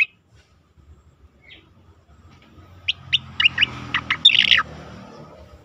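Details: Asian pied starling training song for contest birds. Near-quiet opening with a few isolated notes, then a lively burst of chirps and a harsh, buzzy squawk toward the end. Low rumbling noise underneath.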